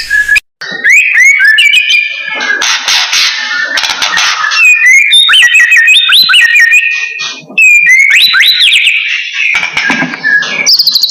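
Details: Lively white-rumped shama of the blorok type, sung as a lure for training birds: a long, rich run of varied whistles, slurred notes and rapid chattering phrases, with brief harsh noisy passages between.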